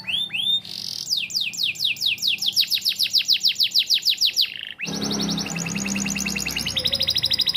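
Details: Canary whose song is filled with lovebird notes, used as a model song for young canaries: a fast run of high, sweeping descending notes at about three per second, switching abruptly to a dense, buzzy, rapid trill, with a low hum underneath.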